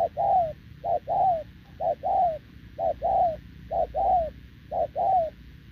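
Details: Spotted dove, wild-caught and short-legged, cooing repeatedly next to a decoy, recorded November 2024; steady rhythm of paired coos, a quick short note then a longer falling one, five pairs in under six seconds.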